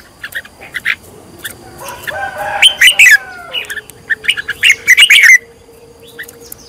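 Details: Red-whiskered bulbul being trained as a fired-up decoy bird: bursts of bright, chattering chirps and short warbled phrases, with a loud rising-and-falling flourish near three seconds and another around five seconds, over a faint steady tone.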